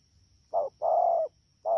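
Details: Recorded 3 October 2019 at Đak Tô, Vietnam, a wild-caught spotted dove utters one quick short coo, then a long level mellow note slightly falling at its end, and starts another short note.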